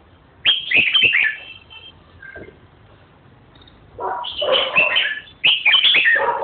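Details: Red-whiskered bulbul giving two bursts of loud, harsh, chattering high notes mixed with sharp clicks, the first brief and the second longer and denser, separated by a quiet pause with a faint short note.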